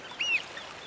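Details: A pied oystercatcher parent with 15-day-old chicks at a defended beach-nesting site near mangroves gives one short high piping note that rises slightly, then falls away, over faint wind or surf hiss.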